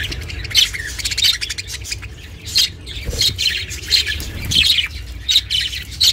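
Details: Pet budgerigar chirping, recorded as company for budgies kept alone: scratchy, buzzy chirps in bursts about every half second to second, over a low rumbling background.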